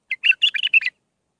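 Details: Mandali-style bulbul song used to tutor young bulbuls: one quick, tumbling phrase of about seven warbled, slurred notes lasting under a second, then silence.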